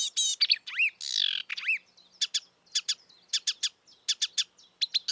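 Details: Marsh warbler in the wild: opening harsh chattering and looping whistled notes, then a series of short sharp clicking notes repeated in quick pairs, with soft high twitters between.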